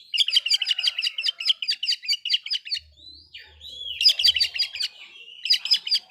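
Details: Oriental magpie-robin song meant to provoke rival magpie-robins, a rapid string of repeated sharp chirping notes, a short gliding whistle in the middle, then more fast repeated bursts.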